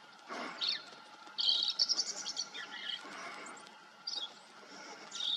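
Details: A green-tailed towhee foraging in brush in Texas or New Mexico gives a downward slurred note, then a fast run of high chirps and trills. Quieter jumbled notes and short bursts follow over a faint background hum.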